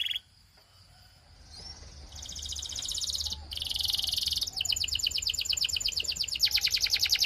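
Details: Belgian canary in song: after a quiet start with a few faint chirps, dense buzzy high trills begin and switch tempo several times, growing louder. Faint low background hum throughout.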